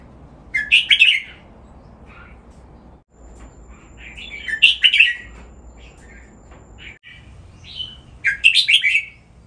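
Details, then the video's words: Caged red-whiskered bulbul in Thailand singing a training song in the style called nap dok, three bursts of bright, chattering, warbled phrases about every three to four seconds, with short rising and falling whistled notes between them. "นกกรงหัวจุก ร้องเล่นริก"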